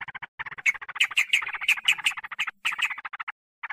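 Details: Sooty-headed bulbul lure call for attracting wild birds and making them agitated: dense, rapid chatter with sharp, loud accented notes scattered through, ending after a brief pause with one short burst.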